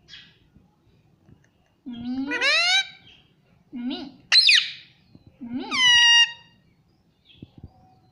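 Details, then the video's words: Pet Indian ringneck parrot, a green parrot, mimicking human words such as mummy and papa: three loud harmonic, voice-like phrases, each bending upward in pitch, separated by pauses, with soft indoor clicks and rustles. "mummy bolne vala parrot"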